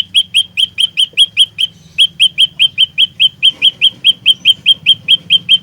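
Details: Steady, unbroken series of about two dozen bright, sharp, metallic chips from an olive-backed tailorbird, a fighter-style lure song for trapping, delivered at an even quick pace with little background sound.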